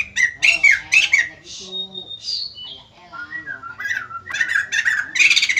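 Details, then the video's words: Singing white-crested laughingthrush, its song said to draw replies from other birds: harsh chattering bursts mixed with clear drawn-out whistles and sliding tones, ending in a loud rattling flourish. "BURUNG POKSAY JAMBUL GACOR BIKIN YANG LAIN NGRESPON"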